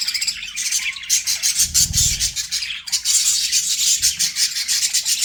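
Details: Loud chorus of many budgies, dense high chirps and warbles running without pause, with brief low thumps around the second and fourth seconds.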